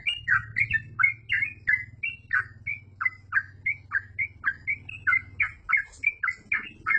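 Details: Singing yellow-vented bulbul, 'gacor full ropel' style, a long chain of short, bubbly, up-and-down slurred notes about three per second, accompanied by a steady low mechanical hum through most of the clip.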